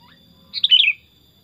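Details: Sooty-headed bulbul kept as a tame pet, singing: a single rapid gurgling phrase of four or five notes that tumble down in pitch, with a constant thin whine behind.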